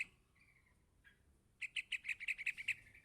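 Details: A yellow-vented bulbul nestling calls its parent: a soft drawn-out note and a faint chip, then after a pause a fast run of about ten loud, sharp chirps in quick succession.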